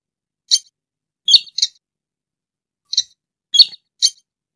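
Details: Sintar, also known as burung tikusan, a rail whose call serves as a trapping lure: six quick, high, squeaky notes, some in close doublets, scattered across a few seconds of silence.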